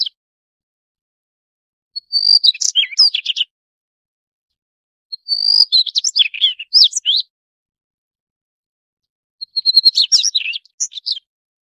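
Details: Daurian redstart delivering three phrases nearly every three to four seconds, each a pure high whistle followed by a rapid scratchy cascade of chirps and squeaky notes; no other sounds intrude.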